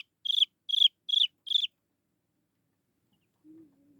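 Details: Calling to draw its mother back, a young Chinese francolin gives four sharp, high downslurred peeps in quick succession. Silence follows, then a faint low drawn-out note.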